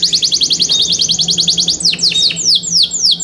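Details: Yorkshire canary singing for competition: a quick even trill of bright notes gives way to slower, wide downward-swooping whistles, with a faint low hum underneath.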